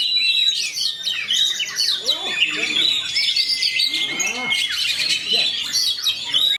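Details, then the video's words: Caged white-rumped shama bred for fighting, singing a rapid rolling song of tumbling chirps, swooping whistles and a long steady whistled note, with low squawky sounds mixed in. "KACER ROLL SPEED RAPAT"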